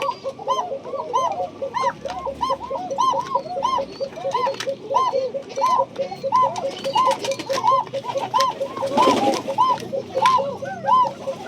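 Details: Tiger Bashiraj Koka domestic pigeons cooing together in the owner's own loft at Bagmara, Rajshahi, Bangladesh: soft, rounded, rolling coos overlapping about one and a half per second, faint human voice underneath.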